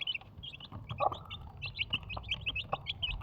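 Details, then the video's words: Four Desi chicks peep in evenly spaced, high, slightly falling chirps about every quarter second, and their mother hen gives a brief low cluck in between. "Desi Chicken 1 Mother Chicken 4 Baby Chicks"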